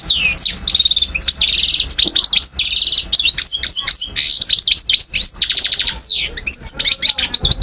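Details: Near Algiers in 2012, a parva goldfinch pours out fast, tumbling twittering with several trilled rattles and buzzy notes, plus a long sweeping downslur near the end.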